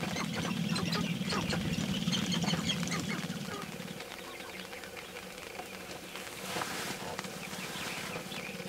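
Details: Displaying sharp-tailed grouse at a mating dance, early morning, May 5, 2019, with several birds; a rapid low pulsing rattle for about four seconds, then quieter, with sparse clicks and short clucks above.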